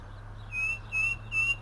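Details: Argentine striped cuckoo giving three short, clear whistled notes at an even, high pitch, each slightly falling, spaced under half a second apart, with a low steady hum underneath.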